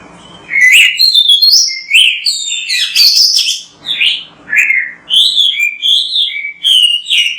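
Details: Kacer (Oriental magpie-robin) in lively, full song for prompting other birds: a continuous sequence of loud, sweet whistled phrases, each slurred and varied in pitch, separated by brief gaps.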